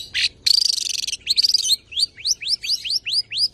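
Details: Long-tailed shrike, a tame champion bird, singing 'isian nembak' song to prompt and tutor other birds: a harsh burst and buzzy trill, then a string of upward-slurred whistles repeated several times per second.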